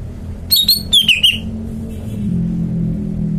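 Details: Caged greater green leafbird sings a single quick phrase of bright, slurred whistles dropping in pitch, followed by a low humming background sound.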